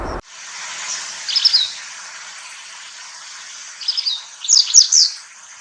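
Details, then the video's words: Japanese wagtail spring-to-early-summer song: short bursts of high, sharp chirps and slurred notes, one brief phrase then a longer run near the end, over steady rushing water. "セグロセキレイ Japanese wagtail"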